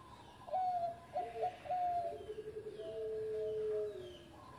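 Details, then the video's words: Zebra dove of engkel voice, a former competition winner: a few short clipped coos, a fluttering low series, then a long smooth level note sliding lower, with constant hiss behind. "Mantan Juara Suara Engkel Sari Cengkok Irama Merdu"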